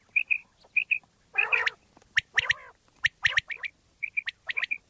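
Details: Pakistani common quail sounds used for quail hunting: doubled thin whistled notes open and close the clip, while harsh gargling squawks and quick sharp strokes crowd the middle.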